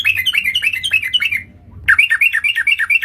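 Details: Sooty-headed bulbul (trucukan) lure call for trapping: rapid bursts of short chirpy notes dropping from about 3k, repeated several per second, a pause, then another run; faint low hum underneath.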